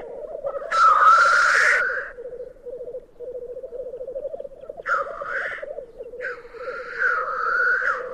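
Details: Black grouse during the lek at Glen Tanar, recorded from a photography hide: a loud, rushing hiss opens, followed by steady low bubbling coos and two further drawn-out wheezing hisses later on.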